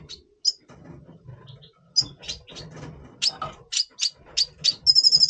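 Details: Captive double pastel red siskin before breeding, November 2023: scattered high chirps building into quicker sharp notes, ending in a brief fast buzzy trill, with soft rustling underneath.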